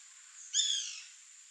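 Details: Bananaquit giving a single short, high buzzy phrase of about half a second, with stacked slightly descending notes, over a steady faint high-pitched hiss and otherwise quiet surroundings.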